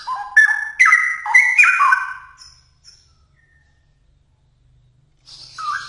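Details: Energetic song of a straw-headed bulbul: bubbling, flute-like whistled notes rising and falling in steps for about two seconds, followed by a silent gap and then the opening notes of the next phrase.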